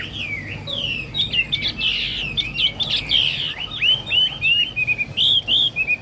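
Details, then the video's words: High-pitched 'cao cầu' singing from a Chinese hwamei: a loud tumbling warble of slurred whistles that ends in a fast series of short, downward-hooked notes, with a faint background hiss. "Họa mi hót cao cầu"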